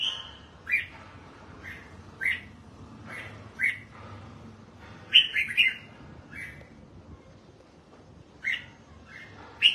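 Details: Pet red-whiskered bulbul kept for song training, bathing and sunning; short sharp chirped notes spaced about a second apart, with a brief burst of rapid warbled notes midway, quiet background.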